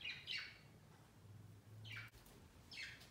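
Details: Pet budgerigars on a Christmas tree placed by their cage on Christmas Day. Three faint, high falling chirps with a low steady hum underneath.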